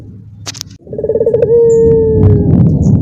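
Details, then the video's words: Caged Barbary dove among other calling doves gives a rolled trill and a long, slowly descending coo, with clicks and a low rumbling background. "dorongan puter yang lain ikutan bunyi sekandang"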